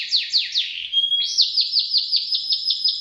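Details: Canary kept as a master tutor for magpie-robin contest birds, its song sharp and piercing: a few drooping whistles and a thin steady tone, then a rapid series of arched slurred notes repeated about six times a second.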